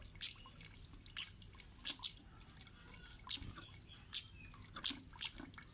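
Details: Kemade chips used to trigger answers and song from other birds: high, sharp notes, single or in quick pairs, at uneven intervals, over a faint low background.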